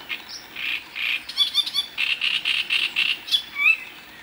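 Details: A male great reed warbler singing in Moselle, France, a loud, grating string of harsh, croaking notes, quickly repeated and ending in a few sharper squeaky whistles.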